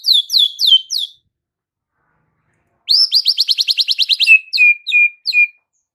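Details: White-rumped shama singing to provoke fighter males: high, sharp down-slurred whistles, then a fast rapid-fire series of repeated high notes, followed by several lower clear whistles.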